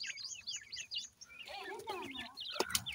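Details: Feeding grey francolin chicks give a run of thin, high, down-slurred chirps, then lower wavering peeps overlapping a second chick, ending with a sharp tap.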